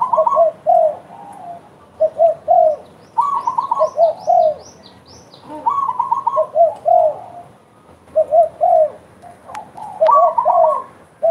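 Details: Spotted dove calling eagerly, with repeated triplets of mellow falling coos over several seconds, a higher series of short notes alongside, and a brief thin twittering overhead in the middle.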